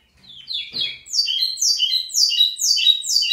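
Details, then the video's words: Lined seedeater (pico plat) singing big, opening with a few lower slurred notes before launching into a quick, even sequence of high, falling buzzy notes layered in bands. "Local Pico Plat singing big"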